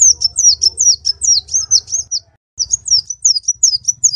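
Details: Kolibri ninja sunbird in energetic song for bird training: a fast string of sharp, high, down-slurred chirps, then a brief gap and more chirping, with a steady low rumble behind.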